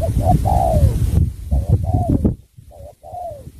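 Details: Spotted dove, Cà Mau, Vietnam, sắm bầu bạch đề cooing: short clipped note then a long sliding coo, heard three times over heavy low handling noise and faint voices.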